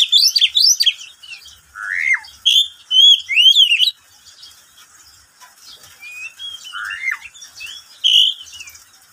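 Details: Caged pet oriental magpie-robin singing in the middle of the day: loud bursts of clear whistled notes, slurred rising and falling phrases between mid and high pitch, separated by short quiet pauses.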